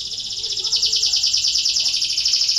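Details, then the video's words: Canary song used to coax lazy canaries into singing: one continuous, loud, high rolling trill of fast, evenly pulsed notes, held steady throughout with no pauses. "KENARI BELAJAR BUNYI UNTUK MERANGSANG BUNYI- pancingan kenari malas bunyi"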